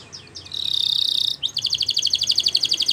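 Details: Training song of a Spanish Timbrado canary: a smooth high metallic roll, then a rapid, evenly repeated pulsed trill of about four notes per second.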